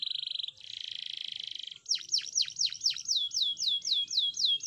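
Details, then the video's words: Canary training song: a dense high buzzy trill held about a second, then a rapid series of falling-then-rising whistled sweeps repeated about four times per second, bright and clear with no other sounds. "أغنية كناري 2023..! أفضل أغاني تدريب الكناري"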